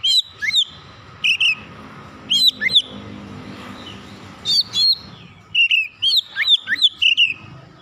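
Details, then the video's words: Oriental magpie-robin calling: short bursts of two or three ringing whistled chirps repeated roughly every second, over a steady low background murmur. "Kacer memanggil"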